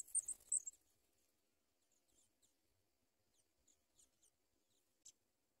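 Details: Sprague's pipit young being fed, struggling to swallow food: a quick cluster of loud, piercing high squeaks in the first second, then faint scattered high ticks and one sharp squeak near the end.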